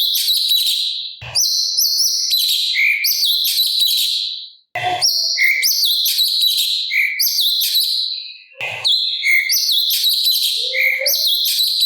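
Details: Master recording of a sooty-capped babbler singing in 'gacor' style with a harsh 'kasaran' filling: bursts of thin, rapid, buzzy high phrases with lower whistled notes, separated by three short breaks.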